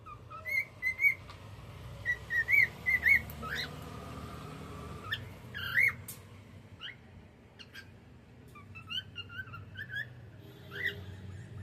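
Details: Cockatiel in the evening, uttering scattered bright chirps and short upswept whistles, some in quick pairs, with pauses between them and a low steady hum indoors.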